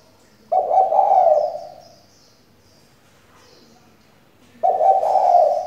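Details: Female spotted dove decoy calling to provoke male song: a low quavering coo near the start and another about four seconds later, with near silence between them.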